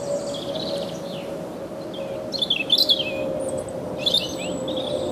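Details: Singing European robin in the Heemskerk dunes, Kennemerduinen, Netherlands, sitting still while whistling cheerfully: a faint opening phrase, then bursts of high, tumbling, twittering notes with quick rising and falling slides over a constant low hum.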